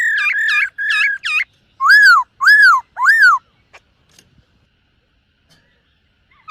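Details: Silver-eared laughingthrush training its song in the morning: rapid looping whistles, then three loud arched notes about half a second apart, followed by near silence with faint ticks.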